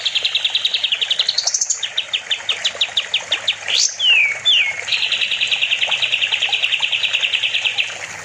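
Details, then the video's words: Sooty-headed bulbul (kapas tembak) in lively, non-stop song, kept as a master recording for training other songbirds: long rapid trills of sharp repeated notes, a rising run, and quick downslurred whistles. "Kapas tembak gacor || Masteran burung"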